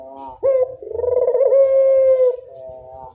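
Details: Single long puter dove coo from a bird in full voice, recorded to prompt lazy doves: a short soft lead-in, a sharp start, then a drawn-out throbbing tone fading into a softer trailing note.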